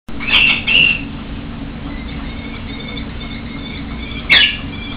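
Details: Captive female common kestrel in her cage, begging to be fed: two loud, high, shrill whining calls close together at the start, then a steady low hum, then a third sharp call near the end.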